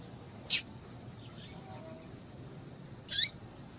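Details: Female double-collared seedeater calling to stimulate males to sing: two brief, high, sharp chirps about two and a half seconds apart, the second with a short falling tail, over a quiet hiss.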